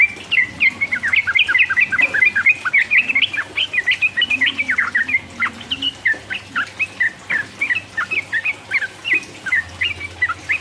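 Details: Sooty-headed bulbul chattering continuously in 'uplik uplik' ropel style to rouse rivals: steady pulses of bubbly whistled notes, short phrases repeated without break for over ten seconds, low hum underneath.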